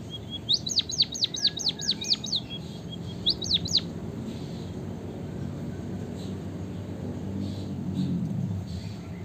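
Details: White-headed munia, called emprit kaji or bondol haji, sings a run of high falling whistled sweeps after a faint level note, then a brief second phrase, followed by quiet low background.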